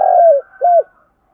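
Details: Spotted dove decoy calling to attract other doves: a long, steady, falling hoot followed by a shorter arched coo, both clear and loud in a quiet background.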